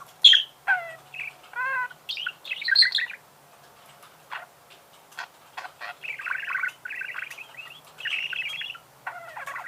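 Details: Budgerigar warble with scattered chirps, sharp clicks and buzzy rasping phrases, quieter spells of soft ticking between louder bursts.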